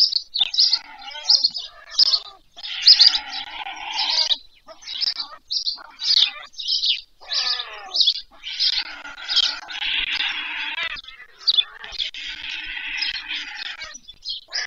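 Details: A nest-cam captures White stork chicks begging during evening feeding, 21 July 2024, near Pyriatynskyi National Nature Park, Poltava region, Ukraine. Long run of insistent, rasping, pulsed cries roughly twice per second, some hoarser and broader.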